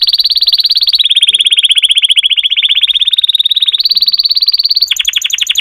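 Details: Singing canary holding a long rapid rolling trill that dips slightly in pitch, then rises again and ends with a coarser, more spaced rattle.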